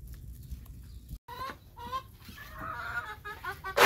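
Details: Chickens outdoors in the rain while being fed corn: drawn-out, wavering clucks and murmurs that rise and fall in pitch, over a rain-soaked background ending in a loud crackle.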